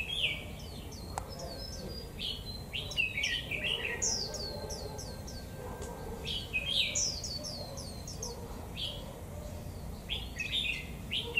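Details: Japanese white-eye singing in the double-phrase style on a cold 11 °C day: quick, high, twittering chirps and short sliding notes in rapid bursts, over a steady broadband background hiss.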